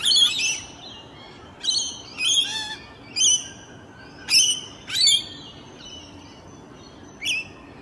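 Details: Rainbow Lorikeets feeding on blossoms in their natural habitat on a morning: a run of sharp, high screeching squawks, each harsh burst brief and separated by pauses of about a second, with quiet background.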